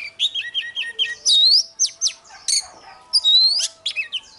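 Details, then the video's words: Morning contest song of an oriental magpie-robin: quick varied phrases mixing short chips, buzzy notes and long clear upslurred whistles, with brief pauses between bursts. "Chòe than hót đấu//Kích chòe hót sáng"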